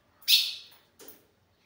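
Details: A male Ultramarine Grosbeak, unable to see his female, gives a "radar" call so she answers and he knows where she is: a single sharp, high metallic chip that fades quickly, then a soft, lower knock a moment later.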